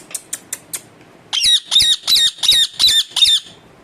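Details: Pet talking parrot, indoors: four soft clicks, then a rapid run of six or seven loud, harsh squawks about three per second.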